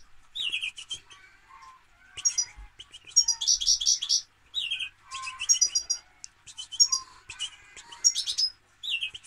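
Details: European goldfinch singing a lively, fast twittering song: bursts of tinkling, liquid notes and buzzy trills mixed with clear rising whistles, phrases repeated in quick succession with short pauses between them.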